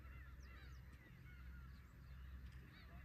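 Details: At Horozuki harbour, Imabetsu, Aomori, a group of Black-tailed Gulls utters rapid mewing cries, some rising then falling, several birds at once, above a continuous low roar of surf.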